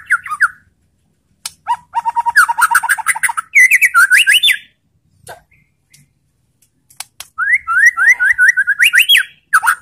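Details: Provoking song of a white-rumped shama, played so that other shamas respond aggressively: varied phrases of fast chattering notes and rising whistled slurs, broken by pauses with a few isolated clicks.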